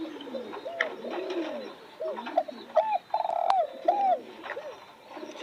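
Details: Spotted dove calling with a run of mellow arched coos, a long steady note in the middle, and softer coos from other doves around it.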